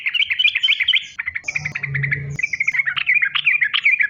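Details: Sooty-headed bulbul in full 'gacor' song, continuous 'sambung ropel' style used to lure other bulbuls into singing; rapid choppy whistled notes, a brief break with a low hum, then more bubbly twisting phrases.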